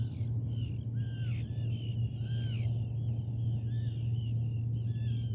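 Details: Common raven giving a series of harsh, hoarse calls with stacked overtones, several overlapping and rising then falling, over a loud, steady low hum throughout.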